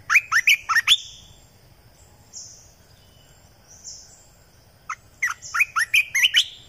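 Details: Red-eyed bulbul decoy song from 2020: two bursts of rapid bubbly chirps, one at the start and a longer run of about eight notes near the end, separated by quiet high whistles of another bird.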